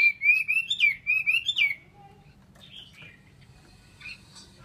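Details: Chinese hwamei giving a loud rolling whistled phrase with rising and falling notes for under two seconds, followed by quieter faint notes.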